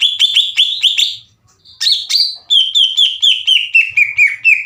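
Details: Greater green leafbird singing energetically as a provoking lure: quick repeated whistled notes, a short pause, then a rising phrase and a long descending series of clear chirps.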